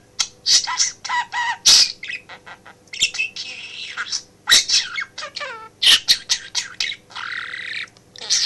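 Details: Male budgie chattering at home while its owner works in the office, copying spoken phrases; loud, busy stream of scratchy warbles, squawky bursts and sharp clicks with barely any pause, low room hum.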